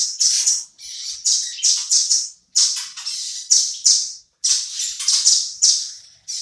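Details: Energetic song of a velvet-fronted nuthatch, a tutor song for shamas. Loud, shrill, buzzy phrases of rapid notes come in bursts of about a second, separated by short silences. Nothing else is heard.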